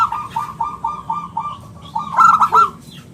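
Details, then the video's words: Zebra dove (local perkutut) with 'bulat kristal' song used for luring and tutoring: a run of about seven even, clipped coo notes, then a louder burst of bright trilled notes that fades out. "suara bulat kristal - perkutut lokal gacor suara istimewa buat pancingan dan masteran"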